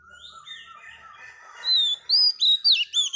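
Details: Singing to stimulate males, a wild-caught female Oriental magpie-robin gives soft drawn-out whistles, then four or five loud, clear, high whistled phrases in quick succession, each sweeping up and down.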